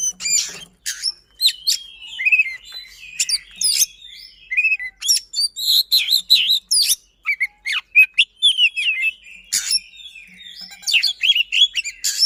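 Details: Kacer, or oriental magpie-robin, singing as a lure to prompt quiet birds to sing, in a fast, persistent, dense style: a nonstop stream of varied whistles, downslurred notes and harsh scratchy bursts.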